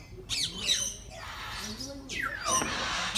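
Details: Birds at Bangabandhu Sheikh Mujib Safari Park in Gazipur, Bangladesh, give harsh squawks with sharply falling, sweeping notes, two loud bursts about two seconds apart, over people talking nearby.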